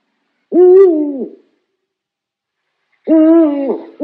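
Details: Owl hooting: two low, mellow hoots, each just under a second long, steady and then dipping at the end, about two and a half seconds apart, with a third starting at the close.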